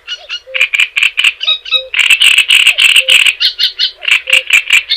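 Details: Java sparrow song used as a tutor recording for training other birds: dense runs of short chattering, bell-like notes with bright clicks, steady and rhythmic throughout, with a soft low tone repeating about every second.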